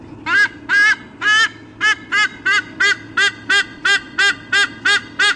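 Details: Parent eagles calling before a nest changeover, Sydney Olympic Park, Australia, 3 August 2014, nest camera: three slower, drawn honks, then a steady series of shorter squawks about one per second.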